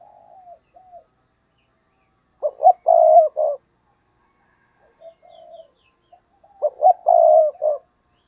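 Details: Decoy spotted dove calling to lure wild doves: soft, drawn-out coos lead into a loud, gruff burst of clipped coo notes, then another quiet coo and a second loud burst near the end.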